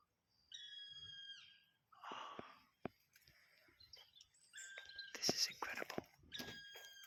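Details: Black woodpecker, one of apparently two birds, very close in front of the recorder and possibly the female: three long, clear, slightly falling calls spaced a few seconds apart, with hushed human whispering between.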